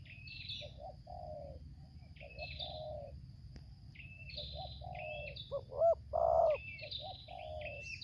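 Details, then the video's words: Spotted dove (tekukur) from Lampung during bird luring, in the 'tarik akar selang nguku' song style: soft low coos repeating through the passage, ending in a louder full coo, while higher chirping from other small birds continues over steady background hiss. "suara tarik akar selang nguku"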